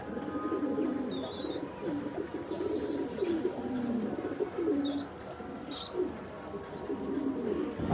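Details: Nabta pigeons whose babies have just hatched coo repeatedly in low, rolling phrases over eight seconds, with short high chirps breaking in several times.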